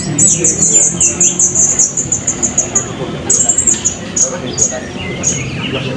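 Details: Blue-crowned hanging parrot at the 2024 open songbird voice and style competition in Balingian, giving rapid series of thin, very high, shrill notes, about a dozen in two seconds, then scattered sharper chips, over low crowd murmur and background hubbub.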